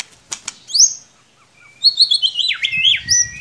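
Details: White-rumped shama, kept as a cage bird, singing a short burst: high whistled notes and sharp downslurred phrases after a pause, with a few clicks and wing flutters.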